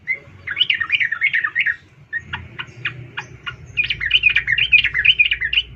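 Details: Female sooty-headed bulbul calling a male: lively warbling chatter of quick up-and-down notes, then a few separate sharp chips, then more bubbly chattering, over low background rumble.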